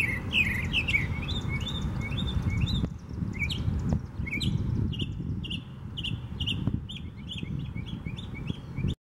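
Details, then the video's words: A Northern Mockingbird sings in Tattnall Square Park on 11 May 2015: a varied string of bright, chirpy phrases, each repeated several times in quick succession, over a steady low background rumble. "Northern Mockingbird singing"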